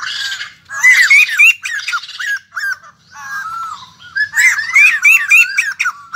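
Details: Newly arrived wild-caught white-crested laughingthrush kept as a cage bird, giving loud harsh cackling bursts with a run of rising whistled notes, a pause, then a second rapid laughing series.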